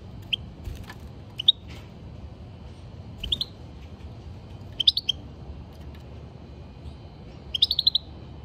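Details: European goldfinch, caged, giving single chirps then denser clusters of bright twittering notes with short buzzy trills, spaced by pauses of one to two seconds.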